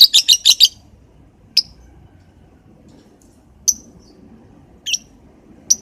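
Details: Lovebird in the morning: a quick burst of five shrill, high chirps, then single sharp chirps spaced one to two seconds apart over faint low background hum.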